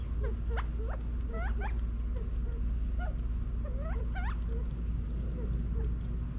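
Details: Backyard flock of California quail feeding in Las Vegas, Nevada, in fall 2022, giving quick rising chirps in small bursts alongside soft low clucking notes, with a constant low-pitched hum behind.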